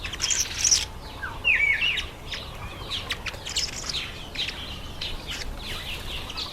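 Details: Masked weavers chattering in breeding season, September and October: short whistled slurs and high ticking chirps tumble over one another, several birds calling together.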